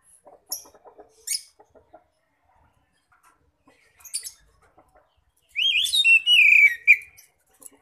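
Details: Lure recording of an Oriental magpie-robin's ngeplong song for calling others of its kind. Scattered soft clicks and brief high chirps lead into a loud, sweet, rapidly warbled whistled phrase near the end.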